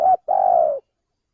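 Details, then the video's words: Spotted dove male, Indonesian lure call for attracting birds: a brief low coo, a short gap, then a drawn-out, gently descending purred note. The background is completely quiet. "suara pencingan burung tekukur belajaran pikat auto langsung bunyi"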